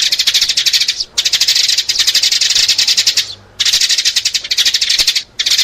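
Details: Chirping used to lure sparrows: loud, rapid runs of high, dry notes, with one or two short pauses between the longer runs.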